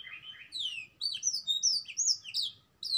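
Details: Canary singing a black-throat mix with prinia notes; a quick stream of bright warbled whistles, high slurred notes rising and falling without a break, ending in a sharp high note.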